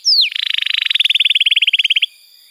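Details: Canary song from a tutor recording: one high falling whistle, then a smooth rapid rolling trill held for nearly two seconds before stopping.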